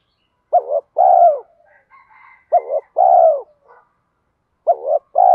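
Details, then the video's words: Spotted dove coo in thổ-thúc style for training new birds and decoys. Short paired notes then a long, low falling note repeat twice a second apart. Faint higher chattering sounds between phrases. "Tiếng chim cu gáy giọng thổ pha thúc đấu vấy bổi, dùng tập bổi và tập mồi gáy theo cả ngày"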